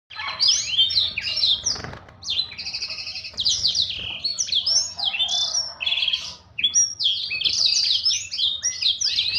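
A Black-throated Canary sings a fast, continuous song of high, sweet trills, twitters and slurred whistles, running almost without pause with only brief breaks.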